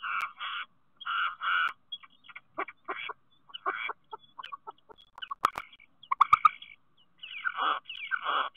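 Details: Common starling singing at a nest box in Théding, France, on 10 March 2023: paired buzzy chattering bursts, then scattered clicks, short whistles and rattles, ending with rasping downslurred notes.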